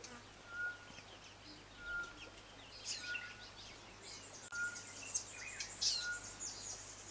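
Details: Stuhlmann's green white-eye at Kibuye, Rwanda, in March 2013 gives thin, high twittering calls, with a short clear whistle repeated roughly every second, over a busy background of other birds and hum.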